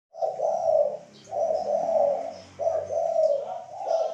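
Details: Spotted dove (derkuku), a cage-bird training recording of the three-coo 'kuk 3' song style: long, low, mellow cooing phrases roughly a second each, separated by short pauses, with faint thin high whistles in the background.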